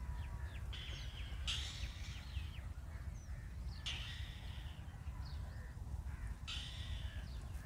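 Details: Hungry Indian robin chicks in the nest beg while being fed, in harsh, raspy bursts about every two and a half seconds with thin chirps between, over a steady low rumble.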